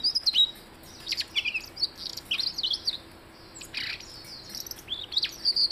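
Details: Blue-headed rock thrush song of rapid, high twittering phrases mixing sharp chirps, short buzzy notes and downward slurs, delivered in bursts separated by short gaps.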